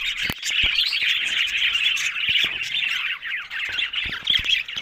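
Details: Lively budgie flock sounds: nonstop buzzy warbles and sharp chirps blending together, with occasional clicks and taps.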